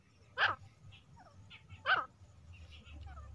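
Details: Female grey francolin, or teetar, in a hunting recording: two loud, harsh calls about one and a half seconds apart, with softer bending notes between them against a low hum.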